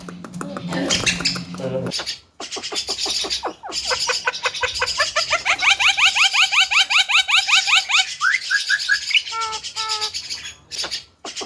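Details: Javan myna in a loud, busy training song: harsh chattering bursts, then a fast run of rising whistled notes repeated about three times a second, ending in short squeaky and whistled calls.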